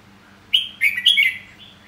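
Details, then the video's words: Red-whiskered bulbul singing: a loud, clear whistled phrase of three quick, slurred notes, rising and falling, lasting about one second, over a faint low hum. "Giọng hót chào mào"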